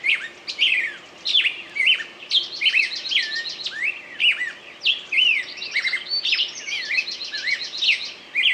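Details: Singing bird pours out varied twittering phrases, quick rising and falling whistles mixed with rapid chattering notes, bursts separated by short pauses, low background hiss.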